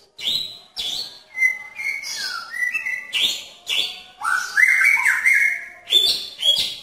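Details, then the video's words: Courting male magpie-robin in a pairing cage with a female nearby: bright, sharp high whistles broken by stepped, level whistled notes and a long warbling phrase, continuous and varied. "Murai Jantan Menarik Perhatian Murai Betina dalam Kandang Jodohan"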